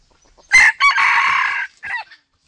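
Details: Junglefowl lure sound, a rooster calling a hen: a brief strident note, then a sustained harsh crow about a second long, ending with a short falling call.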